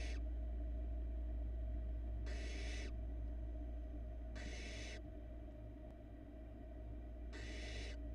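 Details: Barn owl nestling, youngest in its Florida nest, downing a large rat; three full breathy hisses about two and a half seconds apart plus one clipped at the start, all over a persistent low hum.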